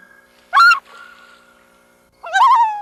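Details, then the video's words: Loons calling: two loud, hoarse calls about two seconds apart, the second wavering and tremulous, with a faint steady tone lingering between them. "Relax to loon calls"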